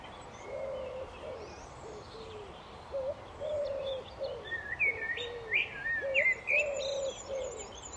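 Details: Outdoor birdsong, mostly blackbird: mellow fluted phrases in the lower register repeated through the clip, joined by brighter rising whistles and chirps from other birds, over a faint hiss.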